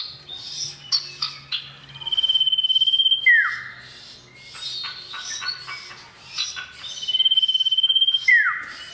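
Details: Male common iora gacor, calling to a female: chirps and short whistles lead into a long steady rapid trill that ends in a sharply falling note, the phrase given twice.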